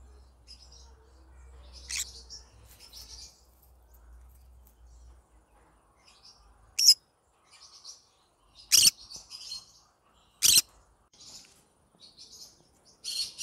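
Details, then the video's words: Yellow-sided green-cheeked conure singing: scattered soft high chirps and chatter broken by several short, loud, harsh squawks at irregular gaps, with a low hum early on. "Yellow Sided green conure singing sounds To Day ."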